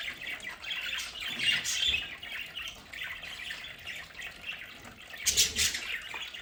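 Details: Domestic budgerigars chatter in their home play area: soft, rapid warbling and twittering at moderate volume, with a louder cluster of squeaky notes near the end.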